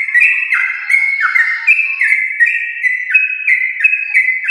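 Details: Yellow-vented bulbul of prize lineage in a long rapid song meant to prompt pet birds to sing; sustained clear whistles sliding down in steps, repeated without pause.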